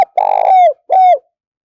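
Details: ['Cooing decoy spotted dove: a long rough, purring note that slides down at the end, then a shorter clean coo falling in pitch, with nothing else audible.']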